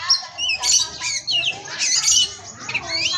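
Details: Oriental magpie-robin (kacer), captive at an Indonesian breeding farm, a 'pastol' tutoring song: harsh, squawky, rasping phrases broken by thin whistled slurs rising and falling, in loud repeated bursts.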